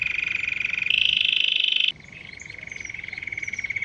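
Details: Canary whose singing reportedly draws in wild canaries, goldfinches and other birds, producing rapid rolling trills that shift pitch abruptly, then a lower steady trill, with faint other bird notes behind.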